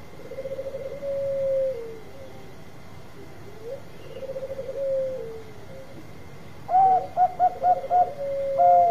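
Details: Zebra dove of Bangkok type in frequent song, meant to lure others and answer quickly: two phrases of rapid rolling pulses ending in drawn-out falling coos, then a bright burst of staccato notes before a final held tone, with steady hum.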